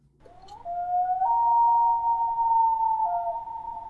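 A loon's long, haunting wail: a pure, mournful tone that slides up, then jumps higher and holds for about three seconds before dropping back. No other sounds.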